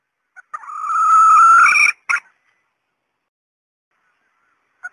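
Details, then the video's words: Red junglefowl hen calling to lure males: one sustained, slightly rising raspy cry of over a second, followed by a short harsh note and a faint click later. "SUARA PEMIKAT TERBAIK AYAM HUTAN BETINA"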